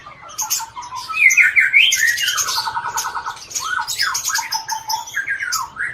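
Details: Captive white-rumped shama from Aceh singing, its song filled with imitations of other birds' songs, heard as a varied mix of sharp whistles, rapid trills and rising and falling phrases, over faint background hiss.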